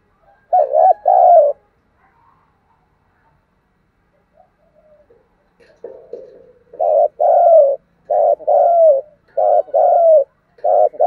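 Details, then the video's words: Spotted dove calling in thúc gù style, opening with a pair of coos, then a quiet stretch with soft murmurs before a run of six or more evenly spaced, drawn-out coos in quick succession. "cu gáy thúc gù, Cu gáy giọng đồng hay"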